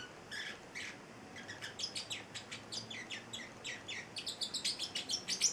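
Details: An eight-week-old male Celestial parrotlet, a pet, chirps in an accelerating stream of high, clipped notes, sparse at first then quick and regular near the close.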